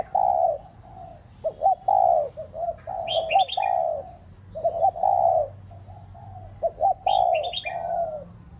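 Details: Decoy spotted dove cooing to stimulate pet doves: mellow, low, throaty coos in broken phrases with short clipped notes between them. High, quick chirping from another small bird breaks in twice.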